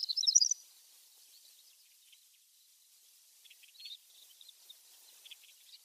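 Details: In Mongolia, a horned lark, likely an adult by its long horns and possibly the white-faced form lacking yellow on the throat, gives a quick burst of thin, high tinkling notes, then a few faint scattered chips in quiet open country.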